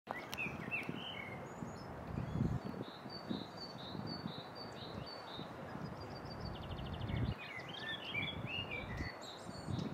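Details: European robin singing in Plečnikove Šance, Ljubljana, on 11 April 2023, thin, high, tinkling phrases that trickle and waver, set against a steady low rumble of city traffic.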